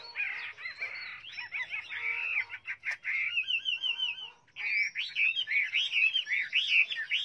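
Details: Chinese hwamei delivering an energetic song of rapid chattering notes, repeated looping whistles and quick rising trills, with a brief pause midway before a bright, busy final flourish.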